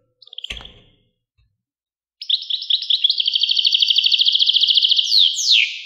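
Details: Goldfinch singing after a short sharp note and a dull knock; a rapid, rhythmic series of bright twittering trills runs for several seconds, finishing with two sweeping downslurred whistles.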